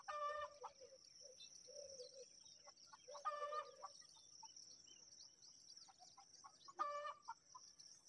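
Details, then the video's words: Myna chicks begging at feeding time: harsh, raspy, buzzy bursts near the start, around three seconds and near seven seconds, with softer short notes between them and a steady high-pitched hiss throughout. "Myna Bird Feeding Time"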